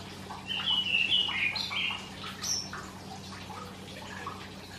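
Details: A Karoo thrush, typically heard singing on summer mornings before sunrise, gives a short burst of warbled, whistled phrases over a low steady hum, then one high note and quieter chirps.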